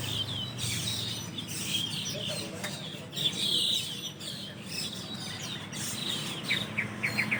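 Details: A large roosting group of Asian glossy starlings in a shady tree in the early morning after dawn prayer, giving a busy chorus of sharp high chirps and brief whistles, with quick bursts of repeated notes near the end.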